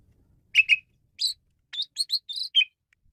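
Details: Male Asian pied starling lure song: a short run of clear piping notes, paired at first, then quick rising whistles in close succession.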